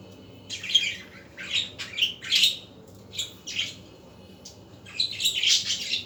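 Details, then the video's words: Budgerigars in the afternoon give rasping squawks and buzzy chirps in separate bursts, with quiet gaps between them and a longer, louder scratchy burst at the end. "اصوات طيور الحب البادجي"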